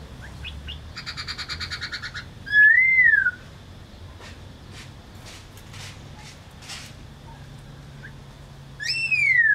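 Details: A laughingthrush gives a buzzy rattling phrase, then a loud clear arched whistle rising and falling, a pause of scattered soft clicks, and finally another strong descending whistle, with a low hum underneath.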